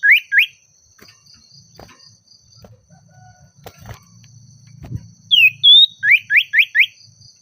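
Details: Oriental magpie-robin calling a rival in an agitated mood: two rising whistled notes, a long pause with faint low rumbling, then a loud sliding whistle followed by four quick upward-sweeping notes.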